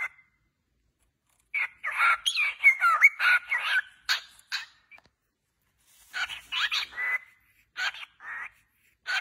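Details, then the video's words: Several cockatiels singing happily: bursts of harsh, buzzy chatter mixed with short rising whistles, one busy phrase of about three seconds, a pause, then another run of chirps and squawks. "Calopsitas cantando muito feliz"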